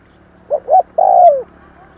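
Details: Spotted dove call used to stir newly caught doves into cooing: a single phrase of two short, quick coos followed by one longer, smooth coo that slides downward at the end, in a quiet background.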